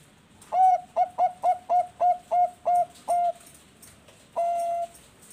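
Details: Captive Zebra dove (perkutut bangkok) at a breeding farm in Bekasi, West Java, heard as a lure call to set other doves singing. It gives eight quick, soft, hollow coos about three per second, then a pause and one long drawn-out coo.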